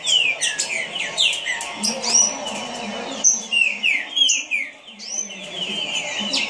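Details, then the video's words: A green-winged saltator (trinca-ferro) sings a fast, continuous string of loud, clear whistled notes, many sweeping down, with a faint low hum underneath. "Trinca Ferro rapido"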